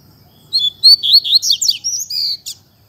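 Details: Double-collared seedeater singing in the fibra song style: a rapid, high phrase of clear whistled slurs and sharp chirps, some rising and some falling, that ends in a short buzzy note. The background is quiet.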